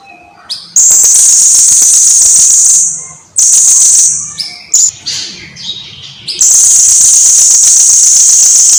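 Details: Blue-crowned hanging parrot's lively song, recorded for teaching birds to sing: long shrill high-pitched buzzing trills, broken midway by a cluster of short sharp chips and rising notes before another extended trill.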